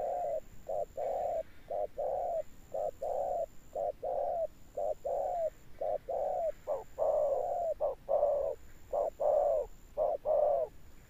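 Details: A spotted dove coos in the deep style called 'thunder tone', with persistent closing coos. A long run of low, rounded coos pairs clipped notes with drawn-out ones at an even, unhurried pace, growing louder toward the end.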